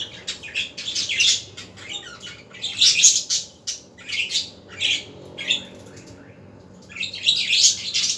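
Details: Budgerigars in the afternoon, a lively run of scratchy, buzzy chirps and squawks in short bursts, several loud clusters about a second apart with quieter gaps between.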